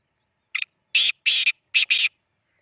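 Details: Black francolin (kala teetar) calling near Khushab; a loud, harsh phrase of grating notes, a short first note then four longer rasping bursts in quick sequence, clean with no background sound.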